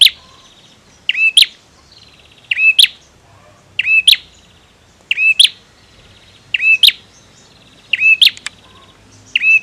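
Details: Vigorously singing male bar-winged prinia gives loud, high chirping phrases about every one and a half seconds, each a sharp accented note preceded or followed by a brief buzzy rattling trill, against a calm, quiet background.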